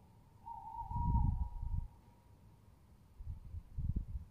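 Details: Recorded 22 07 20, a tawny owl sounds a level, slightly wavering tonal note lasting over a second, overlapped by loud low thumping rumbles, with more rumbles afterwards.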